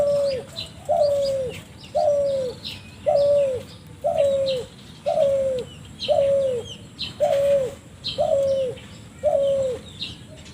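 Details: Spotted dove, strange call: a steady series of about ten short descending coos, one roughly every second, with busy high-pitched chirps of other birds throughout.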